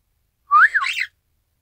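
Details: Isabelle pearl cockatiel copying its owner's whistle; one bright whistled phrase, rising then dipping and wavering, lasting about half a second in an otherwise silent room.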